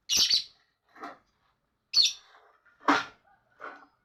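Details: Lovebird chattering in a series of harsh high shrieks alternating with lower raspy buzzy notes, about one burst per second, irregular timing.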